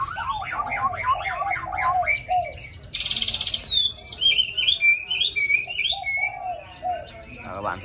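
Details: Tame cage hwamei singing its wild forest song: fast chattering warble at first, then a dense buzzy burst, followed by a long series of rising and falling clear whistles.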